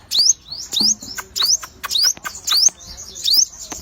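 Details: A chatty sogon bird gives quick, high, steeply rising whistled slurs roughly every 0.6 seconds, six in a row, each followed by a softer chirp.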